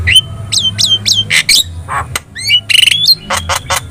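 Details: Lively Javan myna singing, played as a training recording so other birds respond: sharp rising whistles mixed with harsh, buzzy bursts and rattling notes in rapid succession, over a steady low hum.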